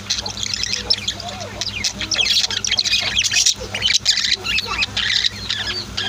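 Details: Budgies and lovebirds kept as pets at home keep up loud, crowded chatter, harsh squawks mixed with fast high chirps throughout, over a faint constant low hum.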